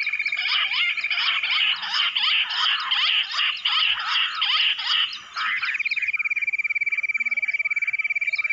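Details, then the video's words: Wild bush quail in jungle, lured in with calls played from a mobile phone, give a dense overlapping chorus of rapid, buzzy, chattering notes for about five seconds, then a steady high buzzing tone with fast pulses takes over. "Bush Quail video jungali | mobaile se bulaya jungal Battair"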